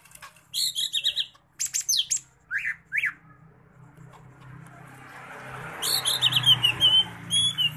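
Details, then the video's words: A Medan Sumatran leafbird, an imitator emptying out its repertoire, pours out a fast, varied string of high chirps, buzzy slurs and sharp whistled sweeps in quick bursts, over a rising background hiss. "CUCAK IJO MEDAN LATAH BONGKAR ISIAN"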